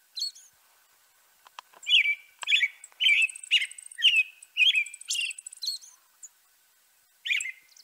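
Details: Song attributed to a European robin: a quick series of short, bright, chirpy notes at similar pitch, given in a rapid run, then a pause and one final note. The setting is quiet.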